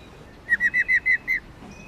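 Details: A brisk series of six ringing whistled notes, evenly spaced and steady in pitch, from a female white-cheeked laughingthrush (Garrulax chinensis lugens) whose singing stimulates males; faint chirps follow at the end.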